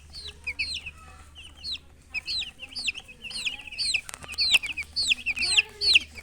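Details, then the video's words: Chicken chirping: loud, clear high peeps with hooked downward-then-upward shape, repeated roughly twice per second, some sharp clicks midway. "silly chicken chirping sounds"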